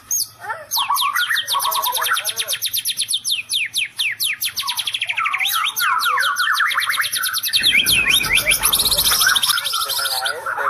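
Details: White-rumped shama delivering a rapid "electric strike" song: fast runs of steep, high descending notes repeated several times per second, then a harsh, noisy burst near the end with dense high twittering.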